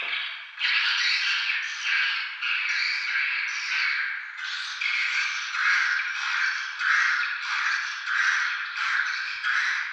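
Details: Swiftlets in Tambunan giving a steady stream of raspy, buzzy chirps in rhythmic bursts about every second, like many birds chattering together.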